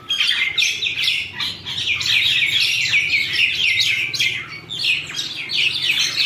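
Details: Birds quarrelling with a steady, intense stream of harsh chattering and rapid overlapping chirps, keeping up loudly throughout with a low hum underneath.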